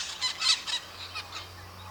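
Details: Brazilian maritaca parrots, flock birds calling to keep in touch, warn of danger and mark presence: a rapid run of loud, raspy screeches, about five in the first second, then softer harsh notes fading out over a low hum.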